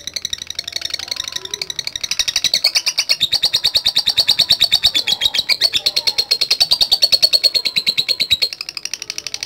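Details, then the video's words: Rapid, high-pitched chattering trill from a contest lovebird in 'latah gacor' style, meant to call rivals. Dense notes pour out without pause for over nine seconds, swelling slightly louder in the middle. "Ampuh Memanggil Lawan | LOVE BIRD LATAH GACOR"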